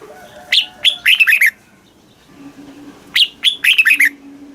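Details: Red-whiskered bulbul from Thailand, southern master-style song played to excite caged birds and teach young ones. Two quick phrases of about six bright, warbled, up-and-down whistled notes, separated by a pause, over a faint steady low hum.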